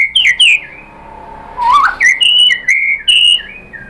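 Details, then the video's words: Lure song of a white-rumped shama for provoking rivals to sing, a short run of pure whistled notes, some rising, one sliding up from low, others held level and slightly falling. "pancingan JITU ‼️ MURAI BATU spontan EMOSI NYAUT jadi GACOR BONGKAR MATERI ISIAN ¦ SHAMA BIRD"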